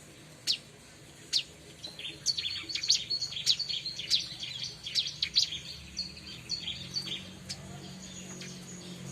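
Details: Song of a bar-winged prinia, used for luring others of its species: two isolated sharp high chips, then a fast, dense series of piercing chirps and trills for several seconds, easing into scattered softer notes amid faint background hum.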